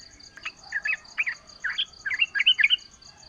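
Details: Yellow-vented bulbul song used as a lure to make other bulbuls sing in reply: short bubbly, warbling phrases rising and falling, growing denser toward the end, over a steady high faint hum.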